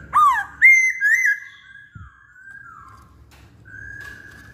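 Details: Masked laughingthrush in full song: loud, rich whistled notes that dip and rise, followed by softer held whistles and a faint thump in the background.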